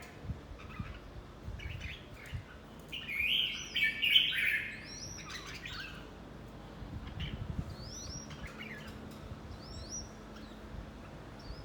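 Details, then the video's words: Red-whiskered bulbul in fight training: one loud, rich warbled phrase between three and four and a half seconds, surrounded by faint clicks, thin high sliding whistles of other birds and low background noise. "Chào mào tập chiến"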